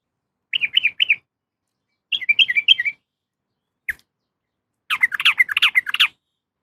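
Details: A female yellow-vented bulbul calls for a male with three-note bubbly phrases, a longer warbled run, a single sharp click, then a louder, harsher rush of chattering notes.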